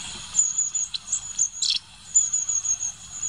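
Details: Thin, very high whistled notes from a long-tailed tit, with a short burst of rougher buzzy sound near the middle and steady faint background noise.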